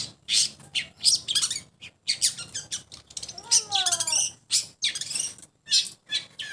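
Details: Long-tailed shrike sound test: fast scratchy chatter and squawky notes, broken by a sequence of clear descending slurred whistles midway, then more rasping bursts.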